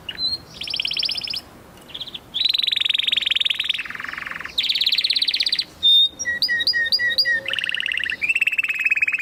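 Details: Canary in full song, alternating dense buzzy rolls with sharp whistled upslurs and quick repeated chirps, the phrases changing every second or so.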